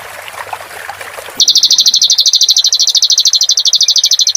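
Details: Clamorous reed warbler song used as a training recording for cage birds, with water sounds added. A soft rushing wash gives way to a loud, fast, buzzy trill of evenly repeated high notes lasting about three seconds.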